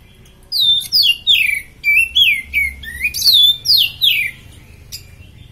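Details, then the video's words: Oriental magpie-robin in top condition, singing as a tutor for training other birds: loud clear whistled notes sliding down, with sharp high overtones, in about nine quick phrases separated by short pauses. "Kacer superfit buat masteran mantap"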